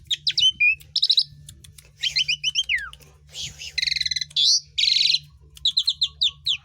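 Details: Asian pied starling song meant to encourage other birds to sing, mixing sharp whistles, a descending slurred note, rattling trills and broad hissing bursts in quick succession over a faint low hum.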